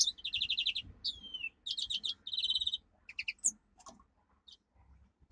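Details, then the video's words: Domestic canary song for training: evenly pulsed trill series, a descending whistled slur, and rapid double-noted rolls, fading into sparse high chips over a faint low hum. "Canary singing - 2 Canary 's most powerful song for training"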